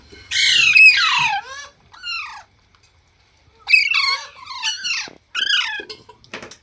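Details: Parrot calling in short bursts of harsh, squeaky, rising and falling screeches, several phrases separated by brief silences, indoors.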